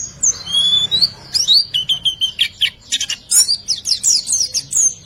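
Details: Used as a lure for silent birds, a white-eye song in 'riwikan' style: a few long thin whistles, then rising slurred notes and a brisk series of high chirps about four per second.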